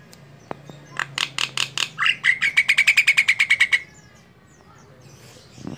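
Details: Female Javan myna, a captive bird used as a song tutor for training songbirds, gives a rapid series of harsh, clicking notes followed by a fast trill of sharp repeated chips, then falls silent.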